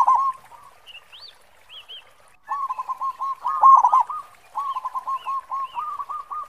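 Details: Local zebra dove (perkutut lokal) with a large khong voice, used as a lure bird: two quick rolling phrases of stuttered coos after a short opening note, with scattered high chirps from other birds.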